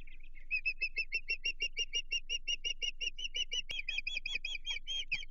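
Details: Osprey at a Chesapeake nest on 15 June 2023, alarmed by an intruder: a continuous fast series of high whistled chirps that grows louder and harsher after a sudden click partway through.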